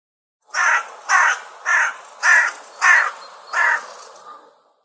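A crow gives six harsh, hoarse caws in a steady series, about one every half second, with no other sounds.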